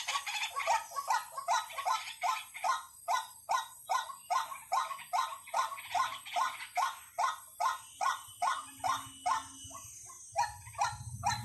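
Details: Lure recording of a white-breasted waterhen: an even, rhythmic string of short, upward-bending croaking notes about twice a second, sharp and clear, ending with a few irregular notes and faint low hum.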